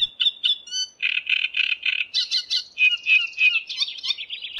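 Great Reed Warbler singing a loud, grating song of harsh repeated phrases, croaking and rattling notes, each motif repeated two or three times before switching.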